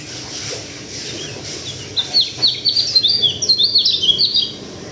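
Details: Sulawesi local white-eye: after two seconds of low background murmur, a rapid burst of high, chirpy, slurred notes begins and continues to the end without pause.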